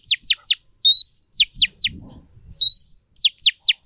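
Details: Female Oriental magpie-robin, kept to stimulate and train male birds, gives sharp whistles that sweep steeply downward in quick groups of three, alternating with longer rising whistled notes. Faint low rumbling is heard in the pauses.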